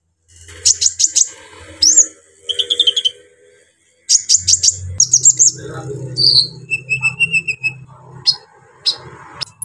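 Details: Brown-throated sunbird in energetic song with rough, varied phrases meant to rouse other sunbirds: clusters of sharp high ticks, a rising whistle and thin descending notes, with brief pauses and a low steady hum underneath.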